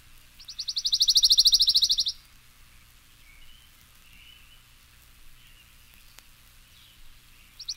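A Pine Warbler sings a rapid, even, high trill lasting under two seconds, rising then fading in volume; a second trill starts just as it ends.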